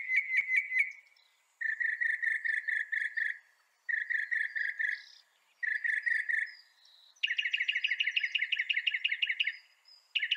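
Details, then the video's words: Northern mockingbird delivering repeated phrase blocks: rapid series of mid-pitched chirps, each block separated by short pauses, ending in a higher, faster buzzy trill. "Veja o canto do pássaro, ave zombeteira"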